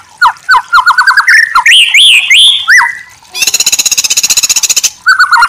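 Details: White-rumped shama (murai batu) song as a masteran training recording: rapid rising whistled notes and looping warbles, then a long buzzy mechanical rattle of evenly spaced pulses, ending with a short whistled phrase.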